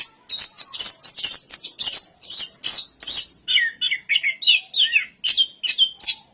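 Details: Orange-headed thrush song of rapid, high twittering notes, shifting partway into lower, clearer whistled chirps repeated a little over twice per second.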